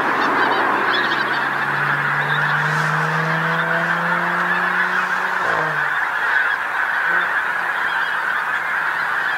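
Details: Large flock of Pink-footed geese settled on a field beside a coastal road in North Norfolk, England, at sunset. Dense, continuous high honking chatter from many birds, with a low, rising engine-like drone passing through the first half.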